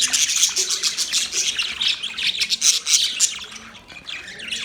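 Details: Lively budgerigar chatter: rapid, continuous high chirping and twittering with scratchy, buzzy notes that never pause, fading slightly toward the end.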